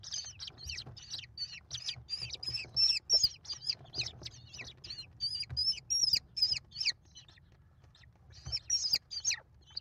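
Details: Mother American kestrel feeding five chicks, nest camera, 28 May 2021: rapid, excited series of piercing high squeals, nearly three a second, in bursts separated by a brief lull, quiet low hum beneath.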